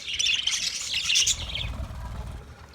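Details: Chirping budgerigars, meant for a lonely bird, pour out a short burst of bright overlapping twitters and trills for about a second and a half, then fade into a soft low rumble.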